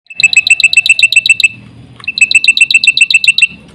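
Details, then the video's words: Black-winged myna song used as a lure to provoke other mynas: two bursts of fast, loud, ringing piping notes, about four a second, separated by a short pause with a low murmur beneath. "suara jalak putih gacor full isian sekali pancing burung jalak satu rumah ribut gacor"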